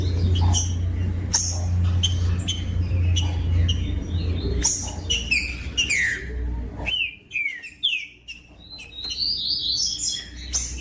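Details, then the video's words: Green-winged saltator singing to stimulate other birds to sing. The first half is mostly sharp clicks over a steady low hum, followed by clear slurred whistles that rise and fall in quick succession. "COM TRINCA FERRO CANTANDO O MELHOR VÌDEO PARA ESQUENTAR TRINCA FERRO"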